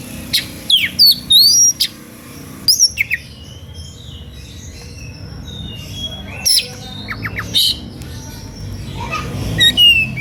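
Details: {'text': 'Fired-up, energetic Oriental magpie-robin song said to provoke listening magpie-robins into singing: irregular phrases of sharp high whistles, downslurred notes and brief harsh rasps separated by pauses, with a low steady background hum.'}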